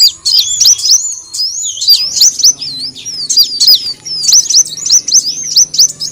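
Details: Kolibri wulung sunbird lure song: bursts of quick, high, tinkling notes that swoop up and down, repeated in short phrases about every second, with a faint low background hum.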